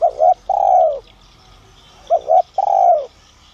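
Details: Spotted dove of the 'son' voice style, calling to lure wild doves toward it. Two phrases, each two quick clipped coos followed by a longer, fuller coo that slides downward. Faint high chirps of other birds sit in the background.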